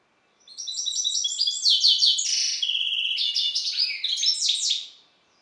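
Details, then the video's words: Captive-bred goldfinch hybrid sired by a Balkan goldfinch (Carduelis carduelis balcanica) singing a fast, continuous twittering song of bright, high chirps and buzzy trills lasting about four seconds, in a quiet setting. "Śpiew bastarda po C.c. Balcanika"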